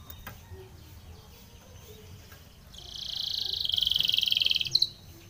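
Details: Spanish Timbrado canary singing a training song: a rapid pulsed trill swells in loudness for almost two seconds, then ends with a few sharp separate notes over quiet room noise.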